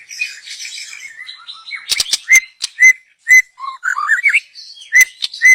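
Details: Young wild white-rumped shama from the forest, its song meant as a lure: soft chattering twitter, then loud clear whistled chips spaced about half a second apart, broken by a quick rising warble.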